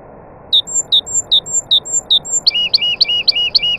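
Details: Nightingale among other birds, singing a rhythmic series of sharp, falling chirps alternating with thin high whistles, then switching abruptly to a rapid run of louder, looping, rolling notes, all over faint background hiss.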